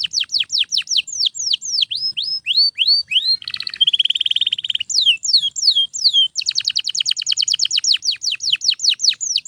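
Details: Domestic canary singing loudly without pause, used to train other canaries: fast series of downward-sweeping whistled notes, a short buzzy steady trill near the middle, then a rapid stuttering roll of repeated notes and more descending sweeps.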